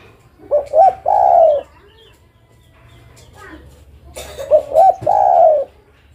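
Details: Female spotted dove calling a male: two cooing phrases about four seconds apart, each two short wavering notes and a long steady coo. A brief click and rustle come just before the second phrase.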